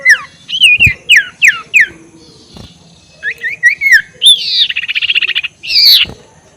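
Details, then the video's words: Ashy tailorbird ngekek call for provoking rival birds: a rapid series of falling whistled notes, short twisting phrases, then a fast buzzy trill and a harsh rasping note. "SUARA NGEKEK SIRTU BIKIN LAWAN EMOSI || PANCINGAN SUARA BURUNG SIRTU"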